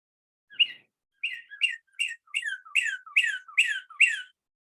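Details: A Northern Cardinal sings clear, crisp, almost flute-like whistled notes that slur sharply downward, repeated about eight times and speeding up toward the end. No other sounds intrude.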